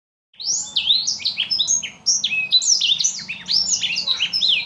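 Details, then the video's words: Blackthroat, a small imported cage bird, singing non-stop: a rapid stream of high whistled and slurred notes, many rising or falling sweeps crowded together with barely a pause. "burung master kicau blackthout"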